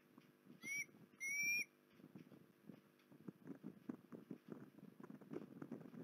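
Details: Osprey at Port Lincoln, 19 January 2021: two short, clear, rising whistled notes close together near the start, then quiet with steady soft tapping and rustling thumps to the end.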